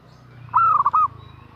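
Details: Female zebra dove calling to a male: one short phrase of about half a second, a steady note followed by quick wavering, broken notes, clear over a quiet low hum.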